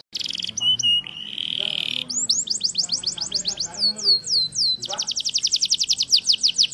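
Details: Yorkshire canary singing continuously: a buzzy rattle and a short steady whistle open, followed by a long run of fast, rising whistled notes, some slurred, ending in a rapid trill of about six notes per second.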